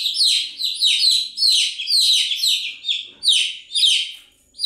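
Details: Several chicks peeping nonstop, shrill falling chirps overlapping in rapid rows, the flock's calls swelling and easing in short waves, with little else audible.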